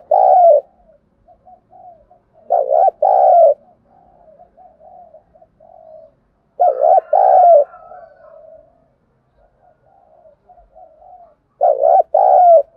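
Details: Spotted dove lure cooing used to stimulate and train captured doves: loud paired coo phrases repeat about every four to five seconds, each followed by faint, murmuring low coos before the next burst.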